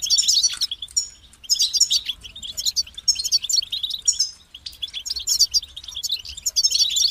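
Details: Rapid twittering song of a European goldfinch in repeated bursts of high, jangling chirps and trills, each phrase about a second long, separated by short gaps.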